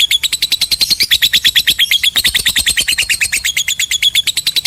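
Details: Lovebird in a long 'ngekek' trill, meant to stir quiet birds into singing: a steady run of harsh, buzzy chattering pulses, about seven per second, unbroken for the whole stretch, in a quiet indoor setting.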